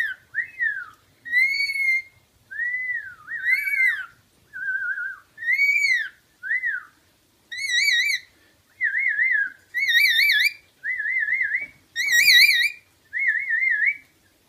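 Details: Pet rainbow lorikeet mimics tunes whistled to it: about a dozen repeated whistled notes, many wavering or trilled and rich in overtones, arching and rising in a fast back-and-forth rhythm.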